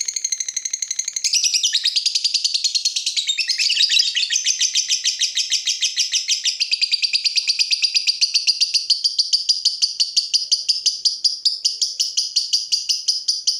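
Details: Lovebird in full gacor song meant as a masteran lure: a long, continuous run of fast, shrill, buzzy chattering notes, steady and unbroken, growing more evenly pulsed toward the end.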